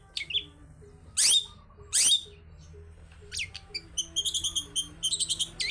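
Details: Long-tailed shrike singing wild style as a lure: two loud, harsh screeching bursts, a couple of scratchy notes, then a rapid, even series of short high ticking notes, over a faint low hum.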